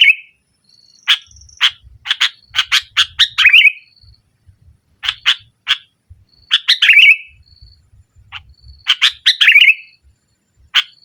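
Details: Sooty-headed bulbul chattering hard in the 'nggaruda' manner to intimidate rivals and lure mute birds: rapid harsh, buzzy notes grouped in three phrases, each closing with a slurred, downward twisting note. A faint high steady tone sounds between them.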